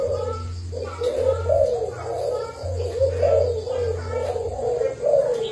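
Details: Spotted dove of a Thai line kept as a decoy bird, batch dated 09/07/2018, giving low hoarse coos in short bursts roughly every half second, with a steady low hum underneath and faint background noise.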